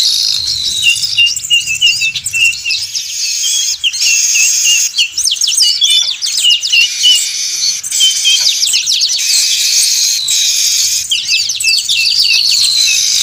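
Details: Loud, continuous weaver flock, recorded as a lure for catching birds: crowded high twittering with rapid trilled bursts every few seconds and short breaks between waves of calls.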